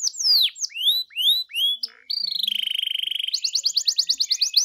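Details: Canary song meant to draw a canary into singing: several loud looping downslurs, a brief pause, a low steady buzzing trill, then a higher rapid series of repeated sharp notes.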